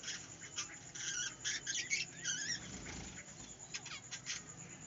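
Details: Budgerigars in a small aviary give a soft, continuous warble of buzzy, wavering high notes and twitters over a steady background hiss.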